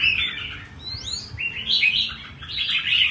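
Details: Pet red-whiskered bulbul singing in a performance style, mixing warbled rolling phrases with a clear upward-swooping whistle, ending in a bright, busy flourish.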